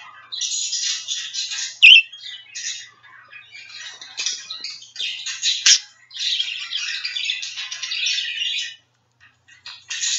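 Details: A two-year-old male budgerigar, kept as a pet, calling out as he looks for his friends in a phone: a rapid, scratchy, high-pitched warble of chirps and squeaks that runs almost without a break, with one loud squawk.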